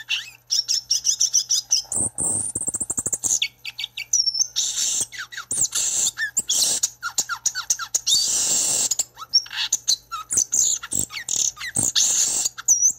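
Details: Violaceous euphonia singing: a dense, varied run of high whistled notes, rapid chatters and buzzy trills, with quick rising and falling slurs, mostly very high-pitched and continuous throughout.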